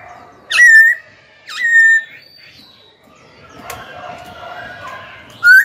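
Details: Young caged Black-throated laughingthrush singing to provoke rivals and train young birds. Two loud, level whistled notes about a second apart, then a long quiet stretch, and a rising whistle at the end.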